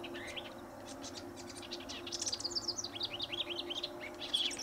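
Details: House wren singing incessantly near a riparian area at Linscomb W.A.: a rapid bubbling cascade of high chattering, trilled notes in bursts, with a white-eyed vireo vocalizing in the background and a low steady hum.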